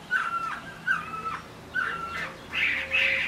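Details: Chinese hwamei, a kept bird, singing in rain: clear, level whistled notes with short rising lead-ins, given in three spaced phrases, then two loud burry bursts.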